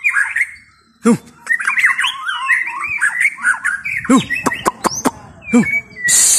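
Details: White-rumped shama chattering in mixed whistles and squawks, broken by sharp clicks and knocks, ending in a burst of hissing noise.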